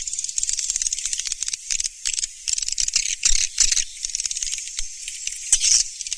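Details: Swiftlets twittering in a lure recording: continuous high, sizzling chirps and rapid clicks, fluttering in loudness with no pause.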